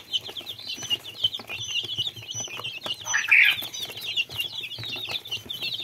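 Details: A crowd of young chicks keeps up steady high peeping; midway one louder, harsher burst of cheeps stands out, while soft clicks and rustles run throughout.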